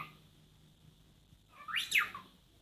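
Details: A pet cockatiel in Christchurch, New Zealand, mimics R2-D2 robot beeps with two fast, swooping whistles that rise and fall steeply.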